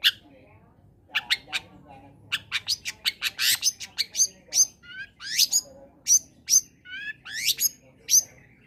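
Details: Long-tailed shrike in varied combination song, played to provoke quiet shrikes into singing: rapid, high, rising and falling chirps and slurred whistles, some notes harsh and buzzy, delivered in an irregular, busy stream.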